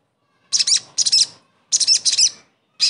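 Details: Sogon bird song meant to coax a non-singing bird back into song; paired bursts of bright, shrill twittering notes, each pair followed by a short silence.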